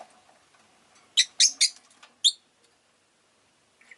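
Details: A burst of four shrill, high chirps, three close together and one after a short gap, from a group of pet Rosy-faced lovebirds vocalising well that day. Near silence follows.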